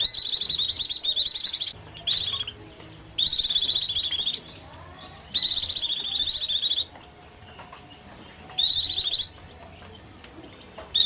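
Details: Oriental white-eye giving hungry or frightened calls, used as a lure for small birds: bursts of thin, high, buzzy chattering about a second long, repeated in irregular runs with short pauses; faint low background hum.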